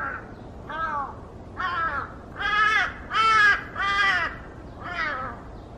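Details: Large-billed crow in Cheongju, South Korea, giving seven hoarse, arched caws about once a second, swelling louder mid-series then easing off, over a faint steady hiss.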